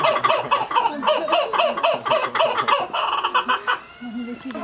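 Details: Captive laughing kookaburras at Morioka Zoological Park, Japan, in October 2020, calling back and forth in the evening: a rhythmic run of rich, hoarse chuckling notes about four per second, fading into softer low calls near the end.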